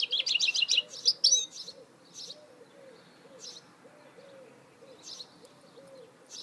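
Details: A goldfinch hybrid (mule) opens with a dense burst of high twittering and chirps, then gives scattered single chirps. A soft, low, repeated hooting coo runs steadily in the background.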